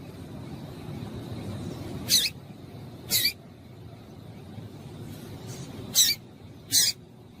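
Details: A female Double-collared seedeater gives four brief, sharp, high chips spaced irregularly over several seconds, used to stimulate a male to sing, against a steady low background rumble.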